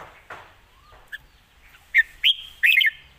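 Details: Red-whiskered bulbul, a rising-star bird credited with good phrasing and a light voice, begins with a soft rising whistle and single notes, then builds to a loud quick cluster of bright chirps at the end.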